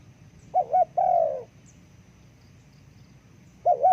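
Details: Spotted dove used to call forest birds, heard as a wavering two-part coo followed by a long falling coo, then a pause and another wavering coo, with low background hum.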